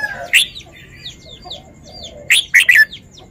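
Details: Red-whiskered bulbul showing off its song phrasing: a few loud, sharp warbled notes, then a bright three-note burst near the end, with soft twittering between phrases.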